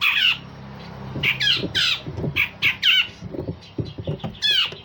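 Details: Grey-cheeked bulbul, a singing master for training songbirds, gives irregular harsh squawks and gritty downslurred notes with brief gaps, over a low room rumble.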